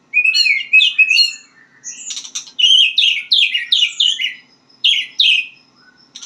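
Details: White-rumped shama practising its song: dense run of rich, downward-slurred whistles and chatter, delivered in quick clusters with brief pauses, faint hum underneath.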